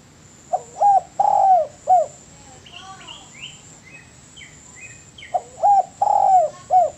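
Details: Spotted dove singing for a cage-bird training recording: two full cooing phrases of hooked notes and long croons. A lively series of higher chirps and whistles from another bird fills the gap between them.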